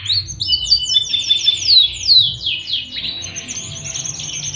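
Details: Panda canary song used as tutor material for young canaries and lazy singers; quick descending whistled syllables repeated in runs, shifting into a softer high trill near the end.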